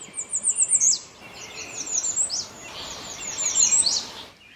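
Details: American Redstart in second-growth woodland thicket at a river edge, singing thin, very high notes in a quick repeated series ending in a sharp downslurred flourish, given twice, over soft outdoor background hiss.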